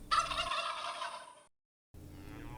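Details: Domestic turkey gobbling: a rapid, rattling burst of throaty notes lasting about a second and a half, rich and harsh, ending abruptly, followed by a short silence and faint low background hum.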